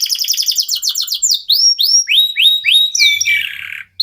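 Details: Local canary singing as a lure to set other birds singing: fast buzzy trills, then a run of rising upslurred whistles repeated about three per second, ending in a short warble; no other sounds.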